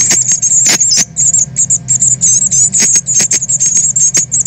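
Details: Young Northern cardinals leaving the nest to learn flight, 13.8.2020: dense, shrill, very high chipping in quick irregular bursts, broken by sharp clicks, with low background hum.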